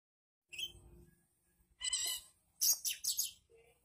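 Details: Oriental magpie-robin singing in full voice; varied bursts of rich whistled and scratchy phrases, a short note, then a dense rapid tumbling phrase, separated by brief pauses.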